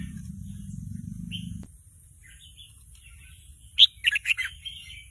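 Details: Caged young Red-whiskered Bulbul practising an unfinished song while a recording plays to excite it: a low hum stops early, then faint warbles and a quick run of loud, sharp chirps near the end.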